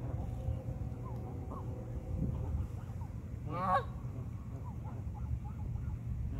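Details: Geese on a pond: one loud, harsh honk stands out midway, with fainter scattered honks before and after over a steady low rumble of background noise.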